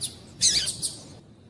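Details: Female double-collared seedeater call used to excite males into singing. A faint high note is followed by one loud, bright, slightly buzzy chip. Otherwise the background is quiet.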